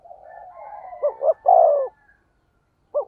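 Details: Spotted dove, 'thổ sấm' voice, used as a decoy call to stimulate other doves. A faint wavering hum leads into one phrase of two short notes and a long, loud, falling coo. A lone short note follows.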